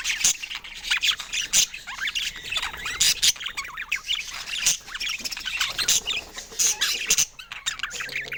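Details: Domestic budgerigar sounds: nonstop rapid chatter of high chirps, squeaks and raspy buzzes, with several sharp, loud squawks standing out and a brief quieter gap near the end.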